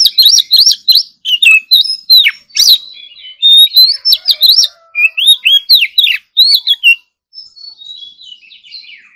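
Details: Captive Oriental magpie-robin in morning voice training, singing a rich, varied competition-style song of loud whistles, rapid slurred notes and sharp chattering phrases in quick bursts, trailing into softer twitters.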